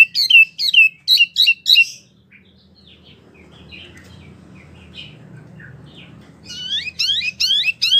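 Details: Wambie mini songbird singing energetically, kept as a tutor for competition birds: a burst of five quick falling chirps, several seconds of near quiet with low hum, then a rapid series of upward-sweeping notes.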